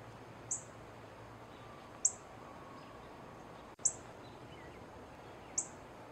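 A female northern cardinal gives four sharp, high, metallic chips, spaced about every one and a half to two seconds, over a quiet background hiss.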